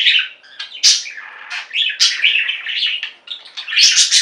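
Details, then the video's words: Budgerigar flock song indoors: a quick run of chirps and buzzy warbled phrases, with a loud squeaky burst at the close. "Most Beautiful Budgie songs Ever: Budgies singing and chirping"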